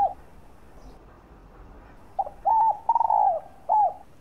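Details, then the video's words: Spotted dove cooing meant to lure and stimulate other doves: after a faint note and a silent stretch comes a full phrase of clipped hoots, a long falling coo and a final rounded coo. "tiếng chim cu đất gáy kích bổi"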